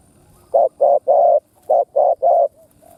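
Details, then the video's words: Decoy spotted dove in its stuttering call style, given to excite other doves: two quick bursts of three low, even coo notes, each burst ending on a longer note. A quiet background. "Tiếng Chim Cu Mồi Đất Thúc gù gù cà lăm gáy"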